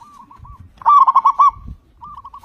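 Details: A loud local zebra dove whose song is used to draw other doves into singing. Faint coos give way to a strong burst of five or six rapid rolling notes, then softer cooing resumes.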